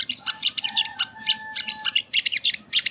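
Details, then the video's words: Sogo ontong, the ruby-cheeked sunbird, singing for masteran training: dense high twittering with quick, squeaky notes and thin whistled slides running continuously through the short stretch. "Masteran Burung Sogon ( Sogo Ontong )"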